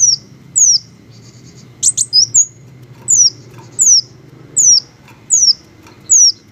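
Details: Green hummingbirds: thin, very high squeaky notes that slide downward, repeated about every second with a short burst of chips, over a low steady background rumble.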